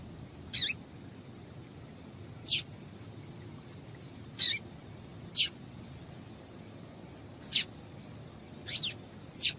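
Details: Seven sharp, high chirps at irregular gaps of one to two seconds, some with a downward tail, as a female papa-capim seedeater calls to excite males for singing tournaments; steady faint hum behind.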